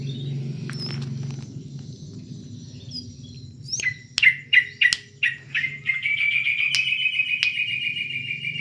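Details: Plain-throated sunbird, a kept bird from Subang singing in full voice: a few thin high notes, then a rapid run of sharp, loud chirps that speeds into a fast, rattling trill, with low background hum.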